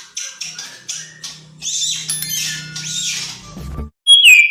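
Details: Male Oriental magpie-robin, in a recording used to provoke silent males into singing, gives a rich stream of buzzy, chattering phrases ending in a clear, falling whistle, over a faint low hum.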